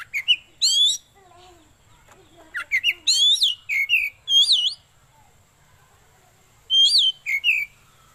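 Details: Oriental magpie-robin (kacer) singing, recommended for luring birds and as a tutor song: loud sweeping whistled notes and looping slurs in bursts separated by quiet pauses, with a few soft low notes between.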